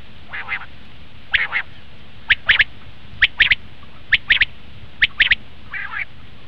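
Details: Common quail calling, recorded for hunting: crisp, high three-note phrases repeated roughly once a second, opening and closing with a softer, buzzy, lower note.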